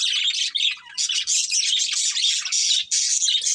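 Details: Budgerigars, a breeding pair, chattering nonstop in rapid, scratchy, warbling chirps with only brief breaks.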